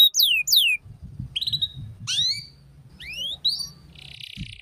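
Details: Canary master song for young canaries to copy the ngeriwik sound: a few loud descending whistled slurs, scattered short high notes and rising sweeps, then a buzzy rattle. A faint low rumble runs underneath.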